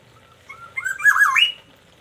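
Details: Black-naped oriole from Aceh, kept in daily care, singing in the morning: a soft whistled lead-in followed by a loud rolling, looping fluty phrase ending on a rising note, over low background hum.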